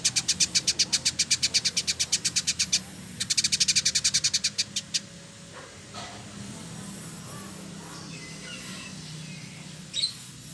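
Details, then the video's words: Male Village indigobird, a tutor bird from Bandung, Indonesia, singing actively. It gives two fast, even rattles of high clicking notes lasting about five seconds in all, then near quiet with one last faint chirp. "Burung Masteran Village Indigo Trotol Gacor"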